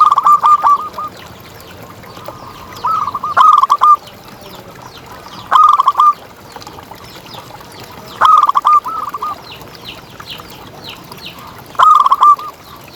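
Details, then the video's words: Local contest zebra dove singing for use as a lure and tutor. Five cooing phrases are spaced two to three seconds apart, each a rising note and a cluster of stuttering coos, over a gentle hiss with faint high chirps. "Perkutut Juara Gacor Ngalas"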